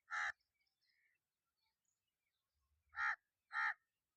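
A crow gives three harsh, nasal caws, one then a pause of nearly three seconds before two more in quick succession; otherwise quiet.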